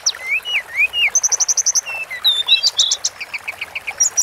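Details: Sunda forktail song for bird training: slurred whistles, then a rapid string of about seven sharp high chips. Mixed whistled phrases and rhythmic repeated ticks follow without a break.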